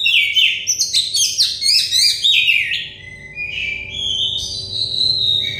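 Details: A stressed-bird therapy recording of an Oriental magpie-robin gives a dense burst of sharp chirps and slurred whistles, then slower drawn-out whistled phrases, with a low steady hum underneath.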